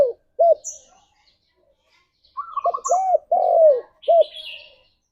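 Spotted dove cooing, a low hollow phrase of several soft coos around mid-pitch, with a brief higher chirp and faint rustle.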